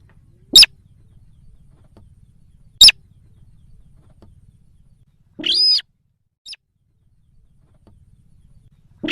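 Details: Sintar sawah lure call, played to draw wild birds in: short harsh squeaky notes with bright overtones, two spaced about two seconds apart, then a longer rasping note, a faint blip and another squeak; quiet low hum beneath.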